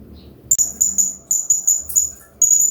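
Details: Hanging parrot singing for a training master track: after a sharp click, a rapid series of about eight piercing, high chirps follows, each note brief and evenly spaced, against a soft water background.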